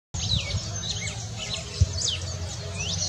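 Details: Red-cowled cardinal filmed in Boa Esperança, Minas Gerais, Brazil: quick high sweeping chirps and slurred notes, some rising and some falling, in a continuous run over a steady low rumble of background noise.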